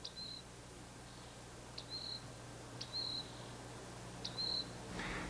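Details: Rock wren in desert at Big Bend National Park, Texas, with one calling on a hill and another on a boulder, gives four high, clear notes, each a sharp tick running into a level ringing tone, about every 1.5 seconds over a low hum.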